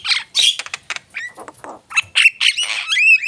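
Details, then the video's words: Javan myna song mixing scratchy squawks with ringing whistled slides, some notes sweeping steeply upward, ending on a sustained clear whistle. "jalak kebo gacor"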